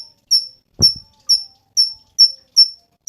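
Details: Cungkok, a songbird kept for song training, giving thin high whistled notes that swell and fade, repeated about every half second in a steady series, with a faint low tap near the start.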